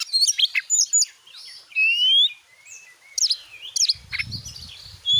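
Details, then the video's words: Oriental magpie-robin in full, energetic song, used as a lure to provoke other magpie-robins into singing: rapid varied whistles, sharp chirps and rising and falling sweeps, including a long clear whistled note, with brief pauses and faint low rumbling near the end. "Kacer jenis manapun bakalan langsung emosi gacor dengan pancingan burung Kacer gacor nembak ini"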